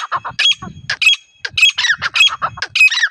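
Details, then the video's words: Wild female grey francolin calling as a lure for trapping: loud, harsh squawking notes in fast uneven succession, with low rustling or handling noise underneath. "jangali female titar ki awaz"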